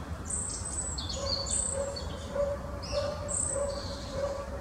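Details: Short-toed treecreeper at Oosterbegraafplaats cemetery in Amsterdam, the Netherlands, 1 November 2015, giving sharp high-pitched thin calls in quick bursts, some sliding down, over a regularly repeated low note and a steady low rumble.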